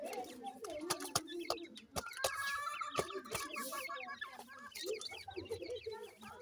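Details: A group of grey francolin chicks at feeding, producing dense high peeping and trilled chirps. Sharp tapping clicks recur throughout, with a brief low rumble near the end.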